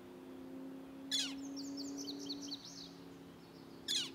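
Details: Young Northern flickers call for their parents in June 2023 at Arrowhead Lake, Orland Park, Illinois. Two harsh, raspy bursts about three seconds apart, separated by quick high chirping notes, over a constant low humming background.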